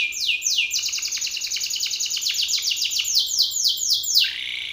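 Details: Belgian canary male in angry song at a rival male: a rising sweep, then a long run of evenly repeated, falling trilled notes ending in a lower, buzzy slur, with a faint hum in the background.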